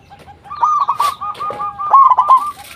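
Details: Local zebra dove used as a lure for other zebra doves: a continuous run of soft coo notes builds into a louder, rapid rolling trill, with a brief background knock partway through.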